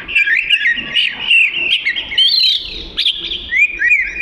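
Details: Oriental magpie-robin singing a varied, rapid warble of twittering, chirping notes with quick slurs, nearly continuous for about four seconds.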